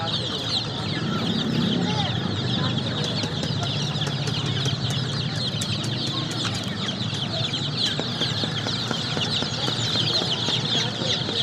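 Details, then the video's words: A brood of baby chicks chirping nonstop: shrill, quick peeps overlap throughout, mixed with sharp ticking clicks and a low rumbling background. "Baby Chicks Chirping sound"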